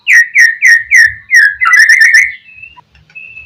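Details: Oriental magpie-robin in gacor singing style, played to provoke a rival to answer: five loud downslurred whistles in steady rhythm, a quick chattering run, then soft thin whistles.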